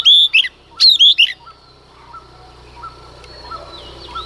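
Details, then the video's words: Female Oriental magpie-robin singing in the early morning to provoke males: a burst of loud, clear whistled phrases with sweeping slurred notes in the first second, then soft short chirps repeating in the background. "Choè than mái hót kích trống hót căng sáng sớm"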